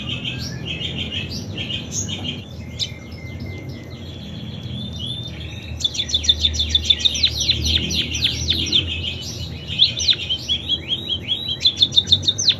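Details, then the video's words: Munia with canary song imitations: scratchy varied twitters and a flat held note, then a loud dense burst of rapid descending whistled notes and trills in the second half, with background hum. "Burung PIPIT Full isian KENARI"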